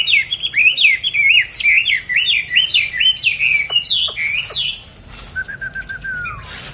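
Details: Songbird kept in a cage on a steady diet, bought 19 May 2020, repeats a quick series of bright looping whistled phrases, then a few clicks and a softer descending whistle near the end.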